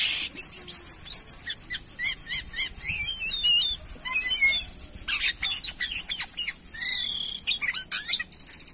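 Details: Jalak kapas myna singing actively (gacor): a dense run of sharp, high chirps and quick rising and falling whistled notes, followed by scratchy bursts and buzzy notes with short pauses between phrases.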